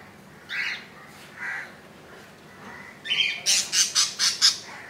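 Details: Budgerigars at a nest with a newly hatched chick, two days old, hatched 15 July 2018 at 2 AM: two soft buzzy notes, then a rapid run of about six sharp, bright chirps.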